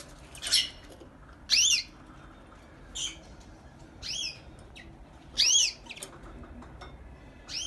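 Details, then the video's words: A canary sings six short, bright chirps that arch up and down, spaced about a second apart, over a quiet background hiss. "Very beautiful Canary singing"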